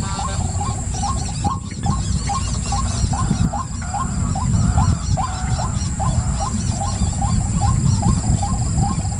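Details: Rhythmic series of brief rising croaks from a white-breasted waterhen, repeated roughly every third of a second, with a brief break near the middle, over heavy low-pitched rumble.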